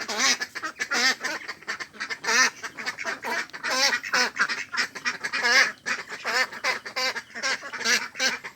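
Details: Ducks at a pond, a mix of Mandarin ducks, mallards and Pekin ducks, quacking almost without pause: dense, nasal, harmonic-rich calls overlapping in rapid bursts from several birds.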